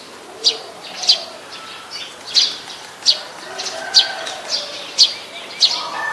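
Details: Brown-throated sunbird calling in Ubon Ratchathani, Thailand, on 13 January 2021, recorded with a Nikon P1000: sharp, high chipping notes about once every second, each a short bright click, over a soft hiss of background.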